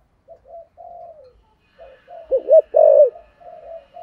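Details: Spotted dove in the thổ voice style, a calling bird well suited as a decoy: low soft murmured coos, a burst of louder rounded hollow notes in the middle, then more quiet humming coos.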